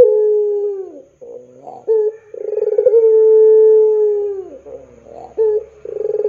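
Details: Puter pelung dove, a long-voiced domestic dove used as a lure and singing tutor for young doves: rolling throaty coos, then one long, steady, howl-like held note of about two seconds, then more rolling coos.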